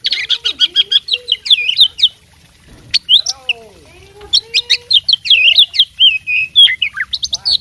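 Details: Fighting oriental magpie-robin singing energetically, its song packed with learned mimicked phrases: rapid bursts of clear whistles and buzzy chirps, high and sharply varied, delivered in quick runs with a brief pause mid-clip before the chatter resumes.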